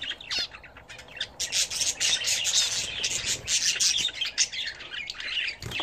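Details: Bathing pet budgerigars: dense twittering and squawks about four notes a second, with loud rushing, splashing-like bursts through the middle of the clip.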